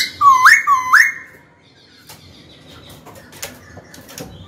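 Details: Caged white-cheeked laughingthrush singing to call a rival bird to fight: two loud upward-snapping whistles, then quiet rustling and scattered clicks.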